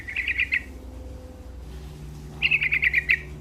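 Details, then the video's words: Sooty-headed bulbul singing lively, two rapid phrases of six to eight bubbly pulsed notes at an even pitch, about two seconds apart, over a low background drone. "Suara Burung Trucuk Gacor"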